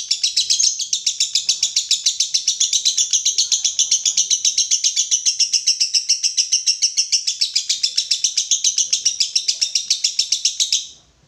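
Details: Long konslet song of a lovebird used as masteran: over ten seconds of rapid, high, buzzy notes near four a second, ending abruptly in silence.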